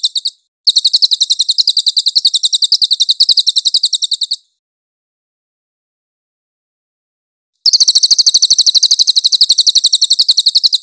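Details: Clear master song of a cililin, meant for training magpie-robins: bursts of rapid, shrill, high-pitched chirps, roughly four per second, broken by a brief pause, then a long silence before the trill resumes.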